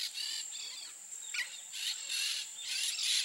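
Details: Peach-fronted parakeet giving a series of harsh, raspy, screechy calls in short bursts, some overlapping, over a steady high-pitched insect whine.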